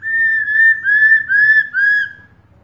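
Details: Female black-throated laughingthrush calling to a male, with four linked whistled notes, each rising then falling slightly, delivered loud and evenly over two seconds.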